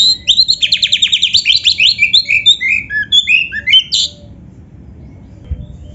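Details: Oriental magpie-robin in full, lively song packed with varied mimicked phrases: rapid repeated whistled and chattering notes over four seconds, then the song stops and only faint low background hum remains.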